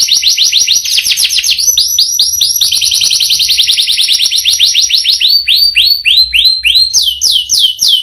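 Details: Canary in full song, its rich repertoire showing long rolls. Rapid high rolled tours shift in speed and pitch, then slow into separate clear downward-slurred notes, about four a second, before speeding up again.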